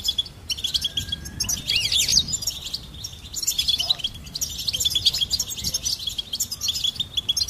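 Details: Goldfinch song: bright twittering with rising and falling sweeping notes and jingling trills over a constant high buzz, in fast phrases with short breaks. Faint low rumble is heard behind it.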